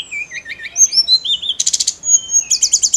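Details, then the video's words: Vigorous song of a snowy-browed flycatcher, played to rouse other songbirds. Wavering mid-high warbled notes rise into a series of thin whistles, followed by two bursts of fast, ringing, evenly repeated high trill notes. "KICAU TLEDEKAN GUNUNG GACOR"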